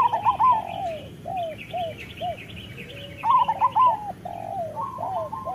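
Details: Several local zebra doves (perkutut) in a master song for training doves to sing: overlapping phrases of trilled coos and short downslurred notes, with faint higher chirping behind.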